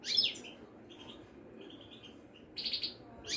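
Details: Caged Moroccan goldfinch of the Wedani type at a Casablanca market gives a sharp twittered burst, then soft faint notes, ending with a short buzzy phrase and another bright chirp.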